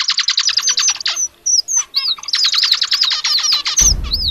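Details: Male red avadavat (Amandava amandava) singing a song mixed with learned phrases of a shama: rapid trains of high, buzzy repeated notes alternating with short whistled slurs, ending with a brief burst of noise.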